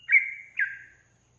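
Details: Calling female yellow-vented bulbul, said to prompt males to answer, gives two clear notes, each with a quick upward flick followed by a long, gently falling whistle. The notes come about half a second apart over a faint low hum.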